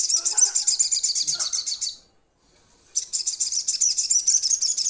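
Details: Crimson sunbird calling its companions: two loud, very high, fast-pulsed buzzy trills of roughly two seconds each, split by a short silence.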